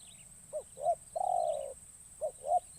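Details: Young decoy spotted dove calling in a forest to lure wild doves: two short rounded coos, one long wavering coo, then more paired coos. A thin high background whine continues throughout.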